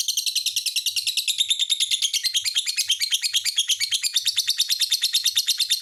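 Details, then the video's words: Lovebird song made of a fast, steady stream of shrill, buzzy chirps, about three per second, forming a continuous high twittering chatter. "SUARA BURUNG LOVE BIRD"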